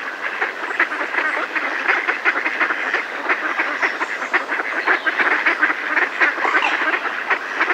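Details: A close flock of Mallards in a decoy calls in alarm, with a busy stream of overlapping quacks, sharp and pulsing, that never lets up.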